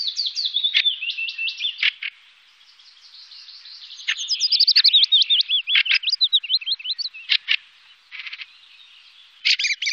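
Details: Fieldfare in Wittlich during 2018, mixing squeaky warbled whistles with harsh clipped notes, a long rapid series of slurred chirps in the middle and scratchy chatter near the end.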